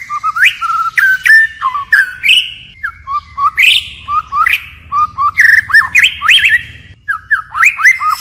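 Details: White-rumped shama in forest-voice song with constant voice changes: separated bursts of rich whistles, upslurs and short sharp clicks, each phrase different, across about eight seconds with short gaps between phrases.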